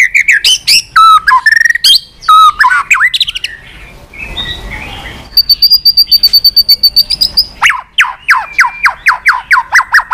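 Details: Continuous 'tạch' singing from a white-rumped shama, played to rouse shamas low in spirit: bright slurred whistles, a quiet gap, then a fast high metallic trill and a steady series of quick descending notes, several per second.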